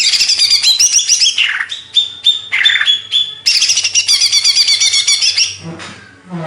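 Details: Indonesian greater green leafbird, Banyuwangi type, pouring out a dense varied song: chattering high notes, descending slurred whistles and held clear tones, ending in softer lower rasps.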